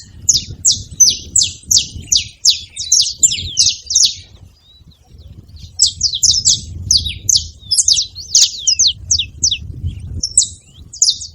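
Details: Saffron finches calling as a group, quick overlapping high chirps in two bouts separated by a brief lull, some notes sliding up or down, over soft low-frequency noise.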